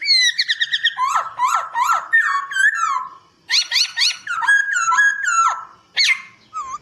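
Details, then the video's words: Master song of a white-crested laughingthrush, used to train birds: strong whistled phrases with rapid repeated notes and descending slurs, broken into bursts by short pauses, ending with a looping whistle. "Masteran Poksay Hongkong Gacor"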